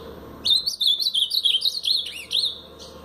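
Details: Brown-plumaged Blue-black grosbeak singing the Paraná style: a rapid warbled phrase of high, bending whistled notes lasting over two seconds, with short breaks, then a brief final note, over a quiet background.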